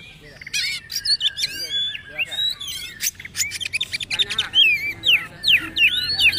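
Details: Oriental magpie-robin, poci trotol type, singing a tutor song for caged birds: rapid varied whistles and chatter, about two phrases a second, with bright slurred notes and dry clicks.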